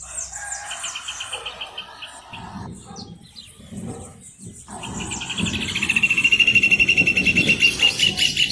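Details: Rufous hornero song rises out of mixed bird chatter into a loud, quick, steady string of bright repeated notes lasting several seconds.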